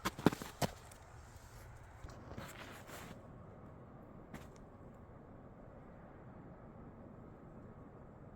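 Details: A few sharp knocks and rustles on a foggy morning, then a quiet, even background hiss with no birdsong.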